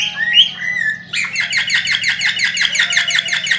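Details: A cockatiel, sung to stimulate mating, gives a sliding whistle, then breaks into rapid chattering notes repeated several times a second, steady and busy, over a low background hum.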